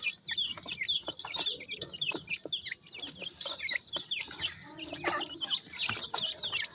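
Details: Several pheasant chicks call for their mother during feeding, a dense busy chorus of sharp high chirps and downslurred peeps, nearly continuous, with pecking clicks and rustling beneath.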